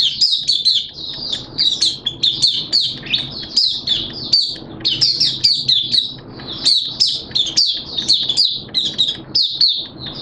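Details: Oriental white-eye from Malaysia, a caged hobby bird, delivering long continuous open song: dense, high-pitched chattering twitters tumbling one after another for ten seconds with barely any breaks.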